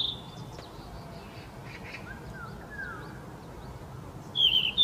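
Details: A Yellow-rumped flycatcher, a summer visitor, singing on 4 May 2024 in Gyeonggi-do, Korea: a few faint thin notes and soft slurred whistles, then a brief bright fluttering high phrase, over quiet hiss.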